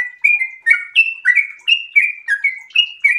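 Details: Sooty-headed bulbul in breeding condition, singing an energetic non-stop 'ropel' song: quick bubbly whistled notes, rising and falling, about three per second, with no background noise.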